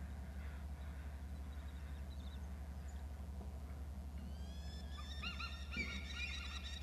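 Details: Eagle at its nest, one adult arriving with a fish and calling from the nest edge: after four seconds of low steady rumble, a rapid series of high, thin, chittering squeals with stacked overtones, lasting about two seconds.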